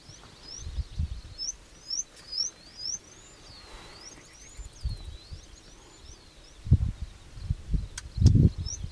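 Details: Indian bushlark at Pune in September 2019 giving a steady string of thin, high, slurred whistles rising and falling, over low gusty wind rumble.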